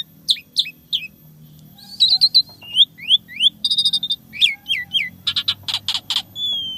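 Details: Asian pied starling singing a repertoire of unique imitations: sharp whistled upslurs in a series, metallic buzzing trills, and a final stretch of rapid harsh rattles fading into a thin whistle.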